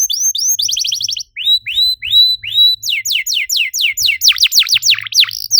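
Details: Canary used as a lure to set other canaries singing: flat whistled notes and a quick trill, a short gap, rising slurred whistles, then a rapid series of steep falling sweeps.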